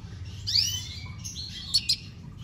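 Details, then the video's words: Red siskin singing: a rising, slurred high whistle with a buzzy overtone, followed by a wavering high phrase and two sharp clicking chips, over low background hum. "Pintassilgo da venezuela cantando muito - Suara Burung Red siskin"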